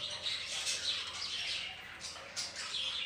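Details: Home-kept budgerigar colony, housed with ring-necked parrots, producing a thick stream of high twittering and chirping from several birds, with short whistled notes rising out of the chatter.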